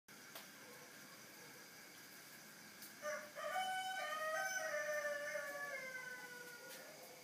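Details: Chicken crowing at 3:50 in the morning: after about three seconds of quiet, a loud harmonic crow starts with short rising notes, then holds a long drawn-out tone that slowly falls and fades toward the end.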